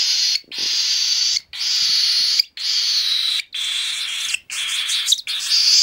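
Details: Three-week-old hand-fed baby cockatiel giving harsh, raspy, wheezing cries, each about a second long, repeated roughly once a second with brief gaps.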